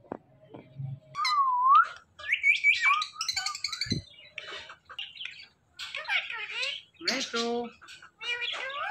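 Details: Flock of Indian ringneck parrots calling naturally: a rising whistled note, then chattering squawks, buzzy screeches and short chirps tumbling together in varied, irregular bursts with brief pauses.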